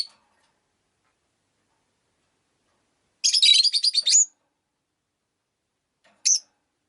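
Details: Caged rosy-faced lovebirds, five birds kept beside a window, let out a rapid stuttering run of high, buzzy chirps, then silence and a single sharp chirp near the end.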